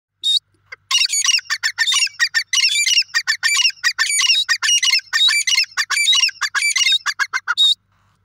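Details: Francolin calling in front of another francolin: loud, harsh, rapid chattering notes repeated in a steady stream for about seven seconds, grating and squeaky, with no other clear sounds.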